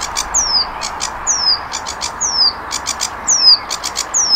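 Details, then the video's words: Sikatan londo flycatcher, tutor song for cage birds: high, clear down-slurred whistles about once a second, each separated by brief groups of dry clicking notes. "Masteran Burung Saingan Berat Sikatan Londo"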